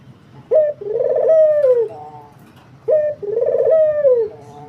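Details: Barbary dove singing vigorously with two phrases, each a quick opening note followed by a long, husky, rolling coo that swells and then falls off.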